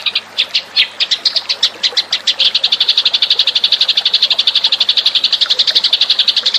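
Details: Eurasian tree sparrow lure call: a fast run of high, sharp chirps that starts uneven and settles into a steady rapid chatter of about four notes a second, continuing without a break.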